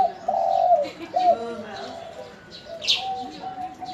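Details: Local spotted dove replying to other birds: a loud, drawn-out coo slurring downward, then a short hooked coo and softer trailing notes, with a brief high chirp from another bird near the end.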